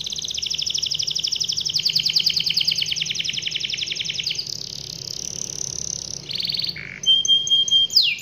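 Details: Long rolling canary song meant to get other canaries singing: fast, even, high-pitched trilling for over four seconds, moving into a steady buzzing roll, then a brief lower rattle and bright piping whistles.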